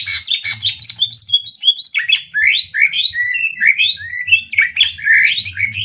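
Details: Rapid 'tembak' contest singing by greater green leafbirds pitted Banyuwangi against Kalimantan. A dense, continuous stream of high, chattering, slurred notes rises and falls in quick succession over a faint low hum.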